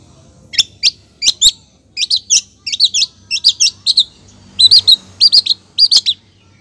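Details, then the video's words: High, clipped double and triple chirps from a female long-tailed shrike calling to a male, repeated in short groups with brief gaps, becoming denser toward the end. "cendet betina gacor manggil cendet jantan"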